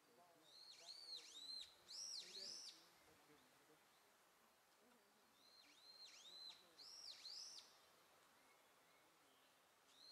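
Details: Young Japanese pygmy woodpeckers giving two clusters of quick, high buzzy arched notes, separated by several seconds of quiet hiss.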